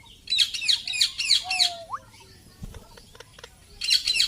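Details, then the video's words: Indian ringneck parakeet giving bursts of harsh, high, rapidly repeated squawks, then a brief mid-pitched whistle that bends upward, a pause with faint clicks, and a final burst of screechy notes. "Indian Parrot Talking and Making Noise"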